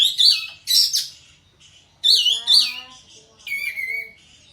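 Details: A kapas tembak in breeding condition with tail spread sings loud, harsh, slurred high phrases in separate bursts, the last ending in a falling whistle.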